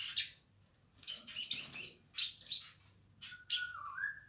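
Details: Streaked spiderhunter in lively song: loud, rasping high chirps in quick clusters, a rapid run of scratchy notes mid-phrase, ending with a lower sliding whistle that dips and rises. A faint low hum runs underneath.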